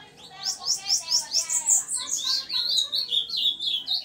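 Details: Ringed bananaquit singing in the "cigarra" song style: a rapid run of thin, very high notes at about five per second, swelling to a bright burst, then breaking into lower, buzzy, sliding trills to the end.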